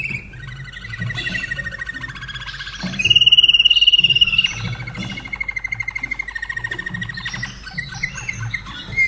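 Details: Slavujar canary, a caged bird in Austria from 2011, sings a rich rolling song: fast repeated trills, a loud ringing high tour near the middle, then softer rattling phrases, with low room hum underneath.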